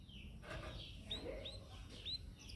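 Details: A yellow canary (Serinus canaria) singing in a cage gives a few short, bright whistled chirps, each arching up then down, about half a second apart, over a low steady background hum.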